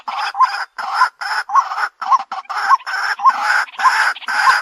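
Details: White-breasted waterhen lure call used to draw birds closer: harsh, buzzy bursts each carrying a short hooked note, repeated steadily about twice per second with brief gaps.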